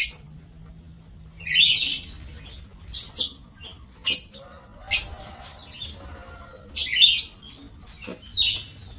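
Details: Lovebirds housed in an aviary, 5 July 2024: loud shrill screeches repeated roughly every second, interspersed with faint lower twittering.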